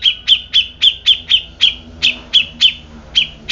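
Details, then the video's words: Grey-cheeked bulbul calling a steady string of sharp, bright chirps, roughly four per second throughout, evenly spaced and strong, against a quiet low hum. "Cucak Jenggot Bisu Langsung Emosi"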